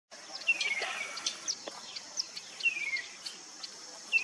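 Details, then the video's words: A Chestnut-capped babbler in Maguri Grasslands, Assam, gives clear, falling whistled notes every two seconds or so, with scattered sharp chips, over a steady high insect drone. "Chestnut Capped Babbler"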